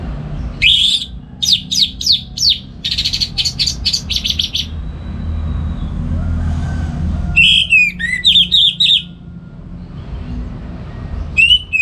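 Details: Morning song of a caged orange-headed thrush from northern Bali, played to train other songbirds: bursts of rapid, sharp repeated notes, then rich warbled whistling phrases after a quieter gap with low traffic rumble.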